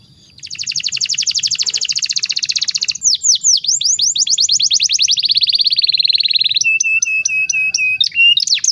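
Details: Canary training song for young birds: a long fast high trill, then a series of sweeping slurred notes, a steady buzzy roll, and a few clear whistled notes at the end.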